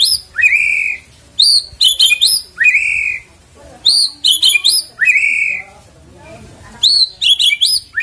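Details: Lure of white-rumped shama song to make the bird sing, built from a long, clear upslurred whistle followed by clusters of quick, very high stuttering notes, the pattern repeating with short silent gaps.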